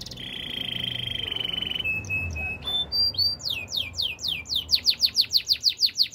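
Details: Canary training song with a long even trill, short whistled notes, then a rapid run of repeated downslurred chirps growing louder, about four per second.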